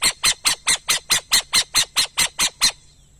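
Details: Twelve grating, screechy notes from a burrowing owl, delivered in a steady rapid series of about four per second before stopping, with little background noise.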